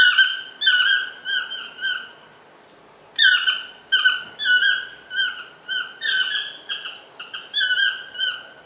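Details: A toucan calling in a lodge garden gives bursts of nasal, yelping notes, several per second, separated by a short pause, over a faint steady high-pitched whine.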